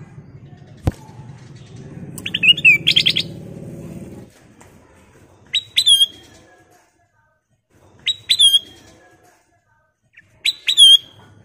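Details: Ruby-throated bulbul (kutilang emas) singing as a lure to set other birds singing: a burst of varied chirps, then three short whistled, slurred phrases about every two and a half seconds, with low rumbling background noise early on.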